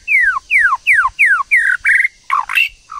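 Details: White-rumped shama, a female stimulating a male: harsh, loud notes sliding sharply downward, repeated about twice a second, then rougher broken notes at the end.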